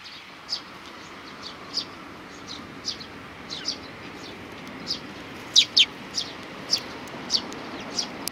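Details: Several sparrows at a Tenmangu shrine on 31 May 2019 give brief, high chirps spaced unevenly, with a quick louder double chirp near the middle, against a soft background hiss.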